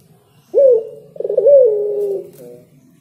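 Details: Spotted dove singing: a soft, low cooing phrase of a short first note followed by a longer, wavering coo that slowly falls, in quiet surroundings.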